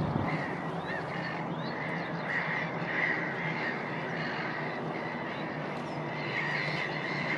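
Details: Breeding Black-headed Gull colony at Woolston Eyes in May 2019, a dense wash of overlapping harsh, rasping calls from many birds, steady throughout with a constant low background rumble.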